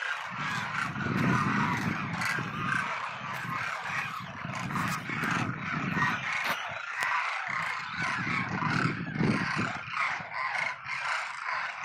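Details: Demoiselle cranes, migratory birds known locally as kurjan, at Khichan near Phalodi, Jodhpur: a dense chorus of overlapping trumpeting, honking calls from many birds, continuous throughout, with a steady low rumble beneath.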